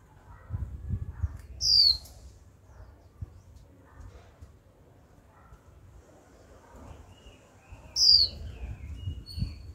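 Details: A young female white-eye uttering 'chíu' notes meant to excite males into singing: two sharp falling whistles about six seconds apart, with faint twittering and low muffled background noise.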